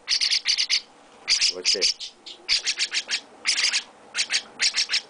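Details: Young chestnut-cheeked starling kept with its owner, calling while being hand-fed: loud, harsh high chirps in rapid bursts of three to five, repeated in quick runs, with a person's voice briefly between bursts.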